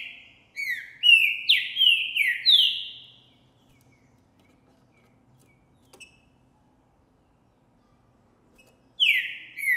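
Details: Male green-winged saltator (Trinca Ferro Boi) recorded January 2024, singing intensely after seeing and hearing a female; a loud phrase of about five rich, descending whistled notes near the start, then a long pause and a new phrase beginning at the end.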